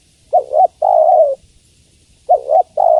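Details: A female spotted dove calls toward a male. Two deep coo phrases sound two seconds apart, each a quavering twin note leading into a sustained coo, in otherwise silent surroundings.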